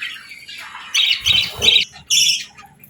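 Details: Real budgerigars, with a female chirping gently, during a morning of eating and bird-bath time; a few loud scratchy squawks in separate bursts, with soft low knocks beneath.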